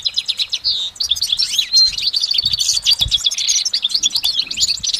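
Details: Sustained goldfinch song recorded in nature, a rapid run of sharp high twitters, slurred whistles and brief rattling trills, flowing on without a break.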